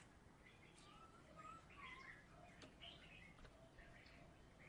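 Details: Oriental magpie-robin from Salatiga, a former third-place contest winner, singing vigorously: faint whistled and slurred phrases, some falling, scattered over steady low background noise.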